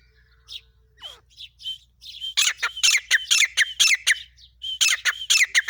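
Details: Non-stop calling of a female grey francolin, Pakistan: scattered chirps and a falling whistle build into a loud, rapid series of harsh, metallic repeated notes.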